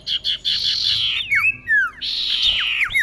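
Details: Female common iora calling to a male, played as a lure: long harsh buzzy stretches broken by quick clear whistled slurs sweeping downward, then another extended buzzy burst with falling whistles.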